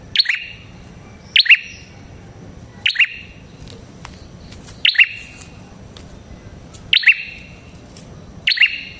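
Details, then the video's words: Prinia called prenjak kepala merah, a lure for other prinias; widely spaced high, metallic double chirps, about one every one and a half seconds, in a calm setting. "Suara Burung Prenjak Kepala Merah Gacor Ampuh untuk Pikat Prenjak & Pancingan Prenjak"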